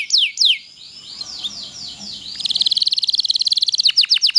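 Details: Loper canary singing a long-duration song meant to tutor other canaries: a few sweeping notes, soft descending slurs, then a fast, even trill of sharp high notes ending in clipped downslurs.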